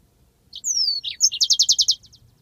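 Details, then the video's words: A yellow-fronted canary, recorded as a training master in the long rolling ngeroll style, gives a short chip, a long falling whistle, a twisting note and a high squeak, then six loud rapid clipped notes. "masteran handal burung Mozambik ngeroll panjang"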